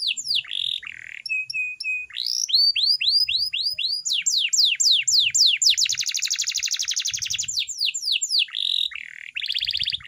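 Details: Training song from a canary, mixing short steady tones, rising whistled sweeps, and a rapid buzzing trill, with faint low thumps beneath.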